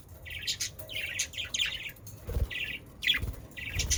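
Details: Pet budgerigars, Australian parakeets, recorded in the Den Haag region of South Holland, Netherlands: short bursts of scratchy, buzzy chirps and chatter in rapid clusters, with gaps and low thumping noise underneath.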